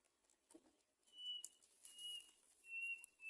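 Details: Great myna at the nest while feeding young: three long, level, thin whistles in a row, each about half a second, with faint rustling between them.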